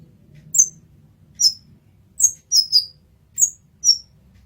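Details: Kolibri ninja, the olive-backed sunbird, in a master recording: seven bright, high, down-slurred notes, mostly spaced out, with one quick double in the middle, over a quiet low rumble.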